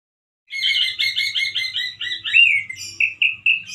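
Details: Loud, harsh song of a male orange-headed thrush, described as wild-sounding but limited in variety: quick repeated two-tone notes run together, followed by a few rising slurred whistles spaced about a quarter second apart.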